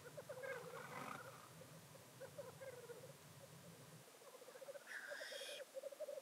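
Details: Several male black grouse (Tetrao tetrix) displaying at a traditional lek near Llandegla Forest, North Wales, on 25 February 2019 keep up a steady, dove-like bubbling rookoo, broken twice by harsh, hissing sneezes.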